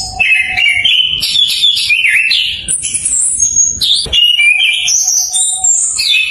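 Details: Orange-headed thrush, a forest songbird of Southeast Asia, singing a loud, varied string of whistled and chattering phrases, some sliding down, others piercingly high, with a faint steady low tone underneath, used as a lure to make other birds sing.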